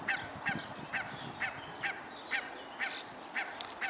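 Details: Mute swan recorded on 21 May 2015 at 12:14, giving short, sharp chirping calls repeated roughly twice a second, about nine in four seconds, over a steady low background hiss.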